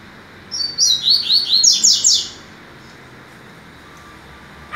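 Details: Rusty-collared seedeater (Sporophila collaris) song on a September 22 morning: a quick burst of high, sliding whistled notes, about seven in under two seconds, then silence.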